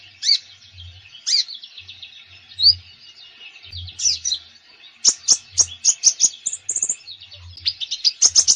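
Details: Common Iora in full, active song, used to coax reluctant kept irioras into singing: high whistled slurs and rapid chattering notes, ending in quick bursts of sharp repeated chips, over soft low thumps.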